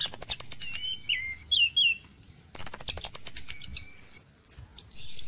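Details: Orange-headed thrush morning song meant to encourage caged birds to sing. Buzzy high rattles open, then short whistled downslurs, then another long fast rattle with a thin steady whistle and scattered high notes.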